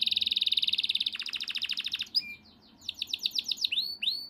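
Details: A yellow canary sings a very rapid, even trill that slows and deepens, pauses briefly, then switches to sweeping whistled notes repeated in quick succession.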